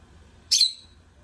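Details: A single loud, shrill, rasping squeak from singing lovebirds that fades quickly into near silence.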